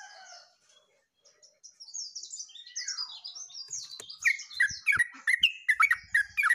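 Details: Yellow-vented bulbul in full song on 29/08/24, bright chirpy notes tumbling into a fast string of rich, bubbling phrases, preceded by high thin twitters and faint low knocks.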